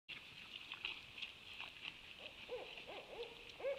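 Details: Owls calling, recorded 26 January 2020: a run of short, arched, hooting notes arrives in the second half and grows louder near the end, over a steady high-pitched chorus-like drone.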